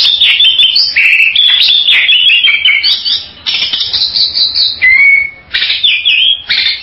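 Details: Continuous loud Bali myna vocalizing: dense run of whistled, warbling and rasping notes with short sliding whistles, sounding busy and chattering throughout.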